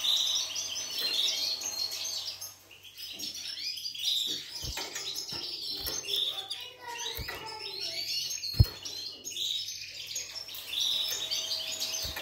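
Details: Syrian canary singing in bursts of high, rolling trills and twittering notes, broken by a short pause, with several sharp knocks and thumps in the background.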